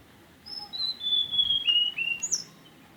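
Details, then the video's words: Mountain tailorbird singing a clear series of long, pure whistles that step downward in pitch, followed by a short, sharp high note at the end, against faint background hiss. "kicau an santai tledekan gunung"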